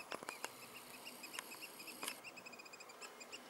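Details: Three Eurasian oystercatchers give piping calls on 16 June 2016: a quick run of thin, high notes, faint behind a series of sharp clicks and taps in the first two seconds.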